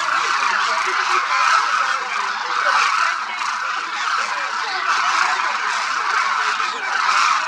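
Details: Thousands of Demoiselle Cranes moving across the feeding grounds at Khichan village, Jodhpur district, India, in winter; an unceasing chorus of overlapping honking calls that swells and eases slightly over several seconds.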